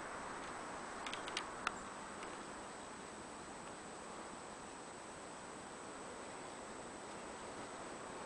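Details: Quiet indoor room tone with a steady faint hum, a high constant whine and a few soft ticks and rustles near the start; no animal voice is heard.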